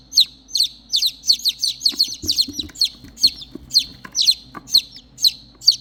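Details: Three chicks separated from their mother hen cry out for her with shrill, sharply descending peeps, several birds overlapping in quick bursts, joined by soft scratching and rustling sounds at the midpoint.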